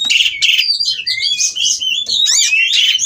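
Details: Oriental magpie-robins mating in a captive breeding setting, vocalising to prompt rivals to sing: loud buzzy chatter mixed with upward-sweeping whistles, almost continuous for three seconds, a few harsh squeaks.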